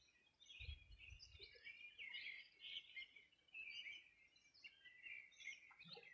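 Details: Several wild birds singing on the bank of the Bueno River, Los Ríos Region, Chile, on a summer morning in 2020: a dense overlapping chorus of bright chirps and warbles with brief low thumps early on.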